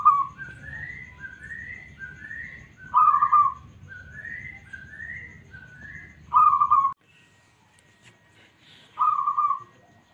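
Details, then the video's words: Local zebra dove (perkutut), noted for a smooth, answering voice, repeats loud trilled coos four times, interleaved early on with rising whistles from other birds; the background falls quiet for the last coos. "PERKUTUT LOKAL SUARA MULUS 💯% Nyaut"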